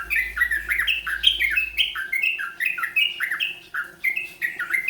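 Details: Yellow-vented bulbul learning the rolpen song style: a fast, steady run of short whistled notes, each dipping then rising, repeated several times a second with little pause, over a faint low background hum.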